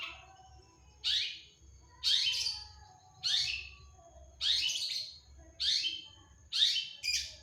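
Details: Long-tailed shrike in full, energetic song: loud harsh downward-sweeping squawks spaced roughly one per second, separated by near silence, with a soft low background hum.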